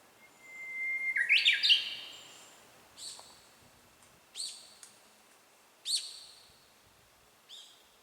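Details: Japanese bush warbler song picked up by a handheld camera pointed toward the singers. A steady drawn-out whistle breaks into a quick rising, warbled flourish, then another bird adds short high chirps about every one and a half seconds.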